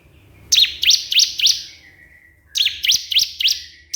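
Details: Crystal prinia summoning a rival: two runs of four fast, bright, high chirps, each a rapid rising-falling flick, separated by a one-second gap with a faint thin whistle beneath.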